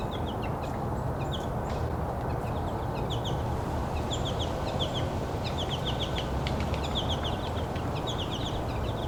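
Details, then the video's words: Several American goldfinches on a winter Christmas Bird Count hike, giving a loud mix of flight calls and static calls: quick, high, bouncy notes in short bursts over a steady low rumble of wind or distant traffic. "Some really loud goldfinches."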